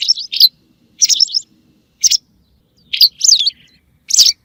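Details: White wagtail calls played for bird hunting: a few high, slurred chirps in small bursts separated by pauses of about half a second, clean and free of background noise.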